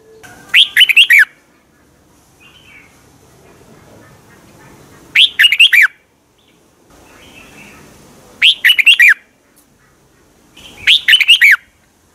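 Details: Caged Red-whiskered bulbul, Thailand, its song played to make other caged birds lively: four short cheerful warbled phrases, each of several quick bubbling notes, spaced roughly three to four seconds apart over a faint murmuring background.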